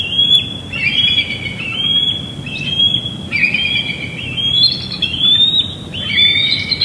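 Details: Evening chase at Big Bear Lake on June 21, 2022: a young bald eagle squeeing behind an adult, picked up by a live nest cam; a run of high thin whistled squeals, each rising then held, about once a second, over background noise.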